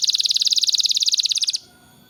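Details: Canary song meant to prompt young canaries to sing: an even, rapid rattling trill of identical notes lasting about one and a half seconds, then stopping abruptly.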